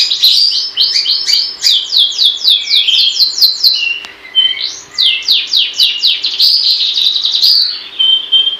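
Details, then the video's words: Gacor-style song of a long-tailed shrike: fast runs of scratchy downslurred notes, several per second, broken by a short dip before a rising sweep starts a new burst. A faint low hum stays in the background. "Burung pentet gacor"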